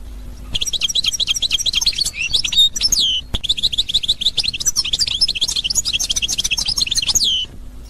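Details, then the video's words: Sustained, lively European goldfinch song, authentic Constantine style from Algeria, 2021: long stretches of rapid, liquid twittering and buzzy trills broken briefly by sharp sliding whistles, with a faint low hum at either end. "اجمل حسون قسنطيني الاصيل"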